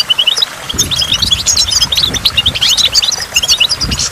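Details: Goldfinch singing beside a waterfall, with water drops: rapid high tinkling twitters and short chirps run almost without pause, over a low steady rush of falling water.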